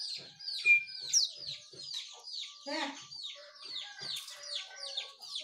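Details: Birds in the morning, listed as sooty-headed bulbul, yellow-vented bulbul and white-eye, give a quick run of high, downslurred chirps, about two a second, with one clear whistle early on and a brief harsher, lower note midway.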